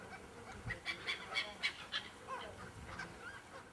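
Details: Gulls flying around in a flock that suddenly arrived and circled for twenty minutes, giving quick clipped yelping calls in an uneven run, about three or four per second, then sparser distant cries against low rumble.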